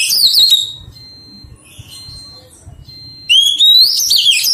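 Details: Wild-caught Oriental magpie-robin being tamed: a phrase ends in warbled notes, then a thin steady tone repeats in the background before a new phrase begins with a long rising whistle and rippling notes.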